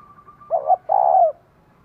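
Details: Female spotted dove calling to stimulate a male: a short, soft coo followed at once by a longer, fuller, slightly falling coo, with a faint steady tone running behind.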